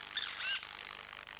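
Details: Rasping squawk of a Purple Roller, one of a pair at Hyena Pan, Khwai Private Reserve, Okavango Delta, Botswana, recorded by a fixed camera; one rough, buzzy note under half a second, then faint background noise and a steady whine.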